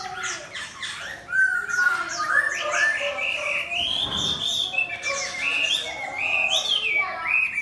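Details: A display-posed competition hwamei next to a fighting bird delivers a bold, fluty song of rising and falling whistles, with long sustained high slurs and quick chattering bursts.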